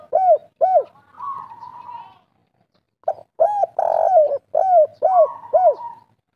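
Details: Kuk 3 style song from a local spotted dove (tekukur) calling energetically. Hooked coo notes, then a held wavering tone, a pause, and a second phrase with a long rolling coo followed by three bouncing coos.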